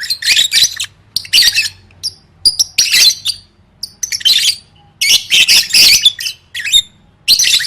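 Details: Lovebird song for singing-contest training: repeated harsh, high chattering bursts with squeaky twitters, steady pulses every second or so, faint low hum behind.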